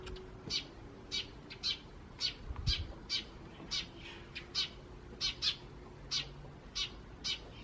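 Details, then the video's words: May 2017 recording of wild Eurasian tree sparrows, with starlings faintly present. Crisp, high chirps repeat about every half second in a steady series over a quiet low hum. "この鳴き声は何の鳥？の答えは、「スズメ！ と、少しだけムクドリ」です。"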